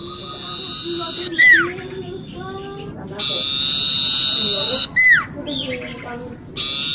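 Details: Common iora delivering prolonged buzzy notes broken by sharp falling swoops, with quieter stepped whistles in between.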